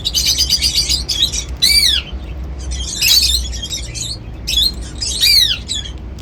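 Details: Seed-eating pet cockatiels sing with loud, rasping bursts and curved, downslurred harmonic whistles, repeated roughly every one to two seconds against a faint low rumble.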